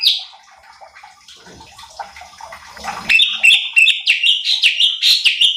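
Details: Bulbul called cucak cungkok, recorded to train and rile other contest birds: quiet hissy start, then in the second half a lively string of loud, clear sliding whistles at roughly three notes a second.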